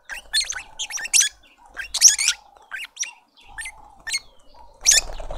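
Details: In a Pretoria suburban garden, South Africa, a lovebird family feeds a juvenile; sharp, high squeaky chirps come in quick irregular bursts, the loudest near the end, above a low continuous hum.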